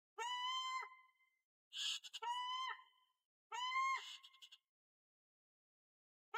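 An African fish eagle gives three loud, ringing yelping phrases, each about a second long, calling for its partner. No other sounds.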